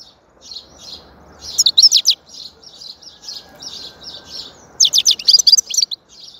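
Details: European goldfinch singing: bright, high twittering bursts of quick chirps, with a louder liquid run near the middle and another near the end, over a low steady background hiss.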